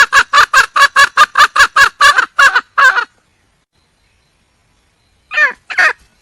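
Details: Wild junglefowl hen seeking a mate: a quick series of rasping clucks for three seconds, a long silence, then two more hoarse, drawn notes.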